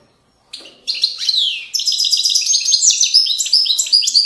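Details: Goldfinch in widani song style from the banks of Moroccan valleys: after a brief quiet start, a dense, continuous, high-pitched chatter of quick tinkling notes and buzzy trills that runs without pause to the end.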